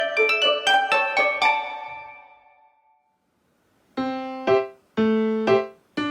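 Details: Piano music with bright struck chords that ring and fade, a short silence, then a run of lower repeated notes. No animal sound is heard.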